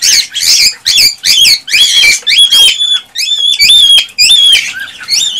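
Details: Male cockatiel's excited mating song, meant to stimulate the female to breed: harsh chatter gives way to clear whistled notes, rising and falling and repeated in a wavering series.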